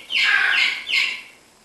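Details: Palm cockatoo at Prague Zoo, in October, gives two harsh, raspy screeches, a long one then a shorter one, loud and upper-pitched, against a quiet background.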